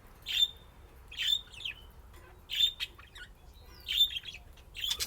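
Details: Budgerigars at play repeat loud, bright whistled chirps roughly once a second, each with a short scratchy tail, with soft chatter between.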